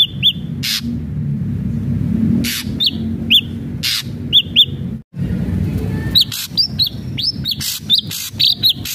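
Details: Ashy drongo singing, used to encourage captive drongos to sing: clipped rising whistles and chips scattered through the passage, quickening toward the end, mixed with loud noisy bursts and a constant low rumble.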